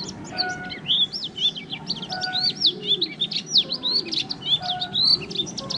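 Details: A newly caged white-eye, in captivity just over a month, sings a fast, varied warble of high twisting, rising and falling whistled notes run together with little pause.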